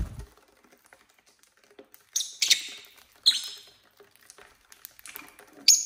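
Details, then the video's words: Pet lovebirds, several males and females of various colours, kept at home: short, shrill, harsh chirps in bursts at about two, three and six seconds, with soft tapping and rustling in the quiet gaps. "love birds sounds"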